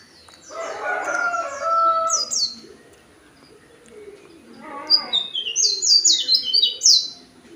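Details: Oriental white-eye, a small yellow cage bird, singing short bursts. Lower warbled notes come first, then a later flurry of high, bright, descending whistles in quick succession.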